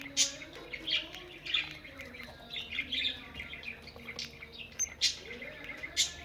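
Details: Budgerigars in a breeding group: continuous warbling chatter from several birds, short chirps and squeaky notes overlapping, with a faint droning hum beneath.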